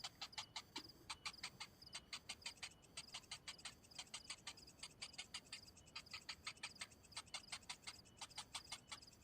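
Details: Cinnamon bittern chick begging while its parent returns without food, a dense stream of crisp clicks at about three per second, broken by brief gaps.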